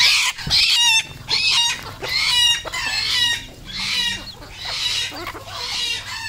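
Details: Red junglefowl, a local decoy bird, uttering loud, harsh, rasping calls about once a second in a repeated series of bursts, with little else heard.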